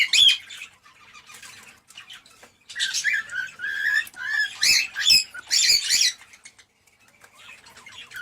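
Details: Cockatiel mating stimulation call: a brief squawk opens, then after a lull a dense run of chattering chirps and whistles, followed by fading, scattered softer notes.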